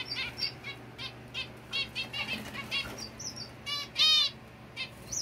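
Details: Zebra finches kept at home, lively and noisy: several birds give short nasal, honking beeps with buzzy layered tones, scattered irregularly with one louder drawn-out call near the end, over a constant low electrical hum.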